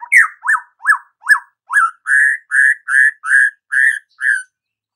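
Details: Energetic murai batu (white-rumped shama) delivering a steady series of about eleven whistled notes, first sharp upslurred chips, then fuller, even whistles, spaced roughly two to three per second in silence.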